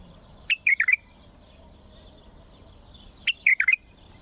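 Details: Bulbul; song; prompting other bulbuls to start singing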